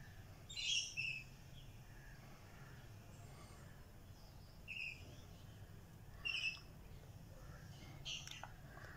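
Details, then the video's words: Young lories utter brief high squeaky notes in spaced bursts, one near the start, then two more several seconds apart and a last one near the end, with constant low hum between them. "Red malcund lories chicks"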